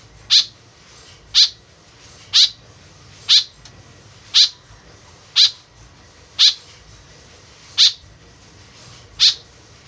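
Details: White-breasted woodswallow, tame and calling eagerly, recorded as a lure call to attract birds: a steady series of nine short, grating, high-pitched calls, about one each second, against a quiet low hum.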